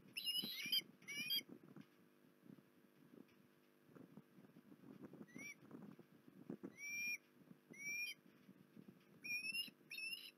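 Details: Osprey at Port Lincoln, 19 January 2021, giving sharp, rising whistled chirps with bright overtones, delivered singly or in quick pairs at irregular intervals through the recording, over low knocking and rumbling background noise.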